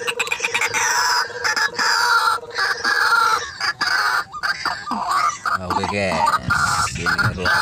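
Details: White-breasted waterhen coming to a lure in a rice field: loud rasping calls repeated roughly once a second, with a steady hum in the first half and a stuttering series of lower notes near the end.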